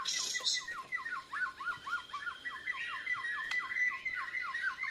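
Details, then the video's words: White-rumped shama from Borneo practising song against a lure recording, breast feathers spread; fast repeated down-slurred chip notes, about three or four per second, over a steady hiss. "Murai Borneo Belajar Gacoorrr, Nyaut pancingan..jousss"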